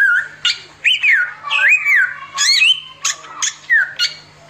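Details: Samyong, the Indian robin, singing continuously in tembakan bursts. Wavering, looping whistles glide down in pitch, separated by sharp clicking ticks.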